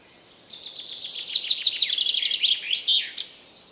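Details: Wild common chaffinch singing: one bright, high, rapid series of sharp notes that speeds up and loudens before a descending flourish at the end, about two and a half seconds long, over quiet background hiss.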